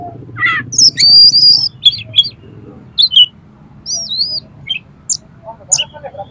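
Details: Oriental magpie-robin song packed with rough, harsh fill-in material, meant to rouse another magpie-robin's aggression: varied high whistles, sharp sweeping notes and short wavy phrases in bursts, over a low steady hum with faint voices.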